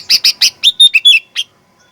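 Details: Sooty-headed bulbul fighter-style lure song meant to provoke aggressive singing: three loud harsh notes followed by clear, slurred whistles and a final rasping note, loud and close.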